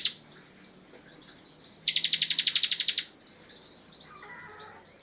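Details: Bar-winged prinia singing strongly: a single loud rattling trill of about a dozen fast pulses, framed by thin high chirps and fainter notes.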